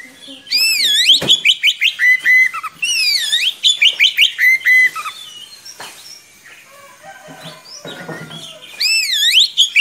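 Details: Oriental magpie-robin, a prolific long-rolling singer used to teach young birds, delivers swooping looped whistles and rapid trains of chirps for several seconds, pauses with faint scattered notes, then resumes with bright looping whistles.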